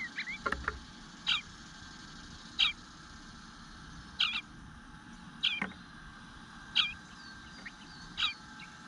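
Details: Hungry eastern bluebird nestling calling from the nest, 25 June 2022, 9:10 am, waiting a while without being fed: sharp, brief high notes repeated roughly every 1.3 seconds, seven in a row, with faint hum beneath.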